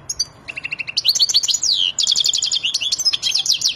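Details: Wadani European goldfinch in peak excitement, ready to mate, starts with soft chips and then bursts into a dense, very high, rapid twitter. Swooping whistles and tinkling trills run almost without a break.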